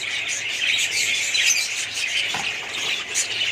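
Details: Many budgerigars calling together in a colony, a steady wall of bright twittering and scratchy squawks, with a few sharper high notes standing out.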